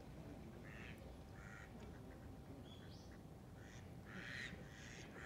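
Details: Eastern spot-billed duck calling to gather the group: short, harsh, nasal quacks at irregular intervals, with a steady low rumble of background noise throughout.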